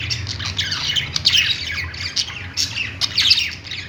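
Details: Budgies perched in a pet store chattering: thin high chirps, squawks and short clicks in uneven bursts, loudest around one and a half and three and a half seconds, with low hum throughout.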